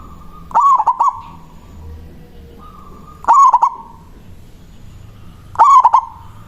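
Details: Local zebra dove song meant to lure and provoke a rival: three quick stuttered cooing phrases, each a tight run of notes, spaced about two and a half seconds apart over a low, quiet background.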